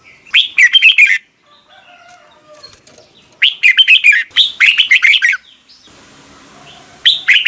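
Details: Red-whiskered bulbul morning song for training other birds. Several phrases of fast, chattering, warbled notes, with a soft rustling or wing-flutter noise after the longest phrase.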